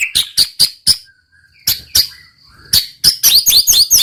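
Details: White-rumped shama (murai batu) singing: four crisp high chips, a soft low whistle, more spaced chips, then a rapid rolling series of bright, downslurred whistled notes.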